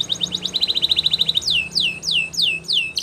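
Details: Spanish Timbrado canary song for training: a fast metallic trill of rapid repeated notes, then a slower series of downward-sweeping whistled notes repeated about twice a second.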